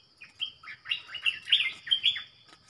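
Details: Red-whiskered bulbul delivering its clear 'double' lure song: a busy string of sweet, rising and falling whistled notes over about two seconds, set against a steady high insect-like hum and soft low rumble.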